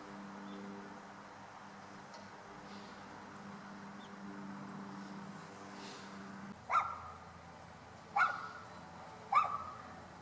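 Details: Bull-headed shrike at Ikuta Ryokuchi park on 29 December 2013: three sharp, harsh, loud calls spaced about 1.3 seconds apart, each a sudden abrupt burst, after several seconds of low steady hum and faint background noise.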